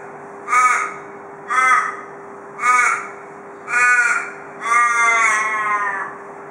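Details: In Perth, Australia, an Australian raven on a porch gives four short harsh caws about a second apart, ending in a longer drawn-out, wavering note, the "cock a doodle doo" call described as typical of ravens around Perth.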